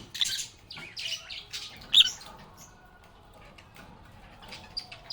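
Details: Agapornis lovebirds chattering: a few rasping, high squawks and one sharp loud chirp early on, then a quieter stretch with faint distant peeps.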